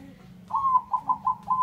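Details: Close, loud coo of a male zebra dove, perkutut bangkok: one longer opening note followed by four short, evenly spaced mellow notes.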